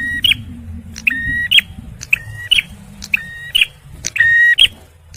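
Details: A male bar-winged prinia sings loudly and persistently, for luring birds and stirring stressed ones: a short chip, a flat buzzy tone, then an abrupt high snap, repeated roughly every second above faint low background noise.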